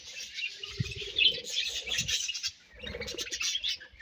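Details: Brief burst of colony budgie chatter, bright overlapping chirps and warbles, a short pause, then more rapid twittering.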